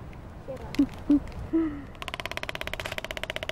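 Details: Waved albatrosses, Galapagos Islands, in their courtship mating dance: a few short, low honking notes, then a fast, even clatter of about eight dry raps a second. Possible faint voices early on.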